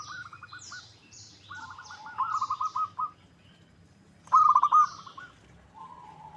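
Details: Local zebra dove lure recording meant to make another bird call back: several pulsed, bubbling coo phrases, one loud near the end, with high thin chirps of other small birds above.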